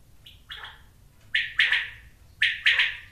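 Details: Quail calling: short, sharp, clipped phrases of two or three quick notes, each phrase about a second apart, with a steady low hum behind.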